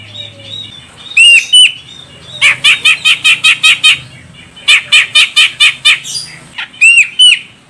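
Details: Female grey-cheeked bulbul from Medan, Sumatra, calling to prompt a male's song: a few sweeping whistles, then two long series of rapid harsh chatter notes, ending in more bent whistles, over a faint low hum.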